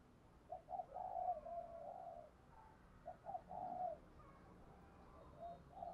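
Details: Thổ Gù-voiced spotted dove call used to pull wild spotted doves in quickly. Two short coos give way to a long, smooth, low note. The phrase then repeats with brief lead-in notes and fainter coos at the end.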